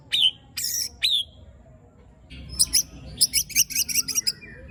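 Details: White-rumped shama (murai batu) singing in the tembakan and besetan styles with coarse fill phrases: a few loud, sharp high whistles, a pause, then a quick run of bright, repeated chipping notes.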